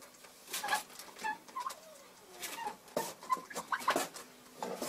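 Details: Broody, frustrated Bronze turkey hen recorded in February, giving short clear tonal notes at a medium pitch, scattered singly and in pairs, among frequent clicking, rustling and knocking noises.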